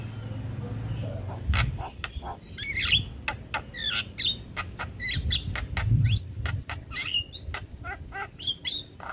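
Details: A Javan myna, suddenly stressed after hearing another Javan myna, pours out sharp clicks, harsh rasping notes and brief upslurred whistles in irregular bursts, with a low rumble underneath.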